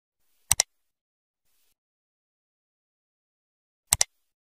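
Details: Near silence broken by two sharp double clicks about three and a half seconds apart, with no animal voice.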